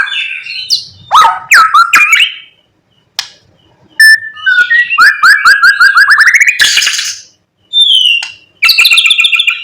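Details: White-rumped shama singing at morning to provoke other shamas, a varied medley of mimicked phrases: looping whistles, a rapid stuttering trill, a harsh rasp and a final buzzy rattle, with brief silent gaps.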